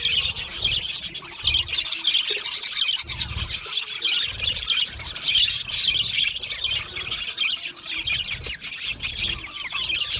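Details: Chorus of budgies chattering, busy high-pitched warbling mixed with harsh squawks, continuous for ten seconds with occasional low knocking sounds.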